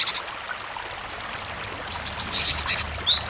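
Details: Cinereous tit in full song, used to prompt other tits to answer and sing: after a quiet stretch of running water, a quick burst of high, sharp chirped notes, bright and closely spaced, over a steady flowing-water background.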